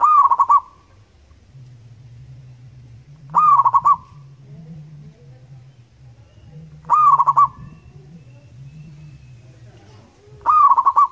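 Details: Loud song of a local zebra dove in Indonesia: four short pulsed coo phrases repeated roughly every three and a half seconds, each a rising note followed by quick stuttering beats, over a low droning hum.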